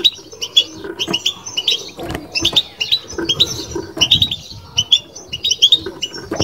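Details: European goldfinch in babtaba (بتبتة) song, softer and more scattered high twittering notes mixed with frequent low rustles, knocks and background noise.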